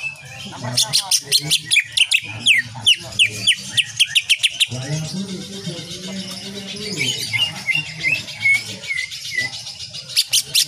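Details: Training recording for cage birds of a greater green leafbird singing nonstop, full of 'shooting' phrases in nyengklir style: long volleys of crisp, rapid staccato notes, a brief blurred passage, then bright whistled slurs and more sharp bursts.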